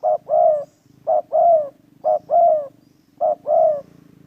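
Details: Spotted dove calling during trapping, with four rhythmic phrases of a short note and a longer, slightly descending coo, about one per second, and a gentle low rattling noise beneath.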